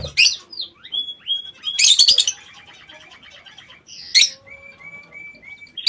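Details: Lovebirds in an aviary squeal and chatter in high, piercing bursts, with a rasping stuttered sequence around two seconds and a run of short repeated whistled chirps afterward.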